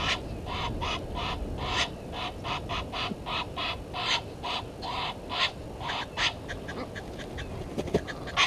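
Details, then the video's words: Egyptian geese quarrelling with intruding geese at Gowrie dam, Sabi Sand, South Africa; a steady series of rasping honks roughly twice a second, slightly distant, with background hiss. "Egyptian Geese having dispute with intruder Geese"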